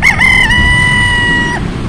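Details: One of three White Leghorn roosters crows once: a short broken opening, then a long steady held note of about 1.5 s, ending abruptly.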